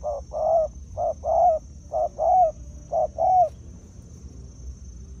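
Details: Decoy spotted dove giving four clear two-part coos, each a brief hoot then a drawn-out mellow coo, closely spaced, then stopping, leaving quiet low rumbling background.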